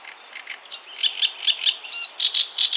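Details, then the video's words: Great reed warbler singing in Poland, a chattering series of harsh, grating notes repeated in quick pulses, getting louder and more strident toward the end, with no other clear sounds. "Great reed warbler / Trzciniak"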